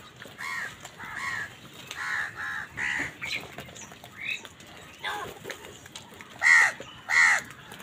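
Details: Several crows calling during a fight with wild birds over food: a run of rough, nasal caws at irregular intervals, mostly moderate with two loud, strident caws near the end.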